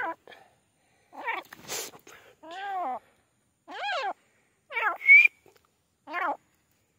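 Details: Calls of the grey francolin (teetar): rough, ringing notes that rise then fall, given singly or in pairs with gaps. A brief shrill whistle and a clatter are also heard.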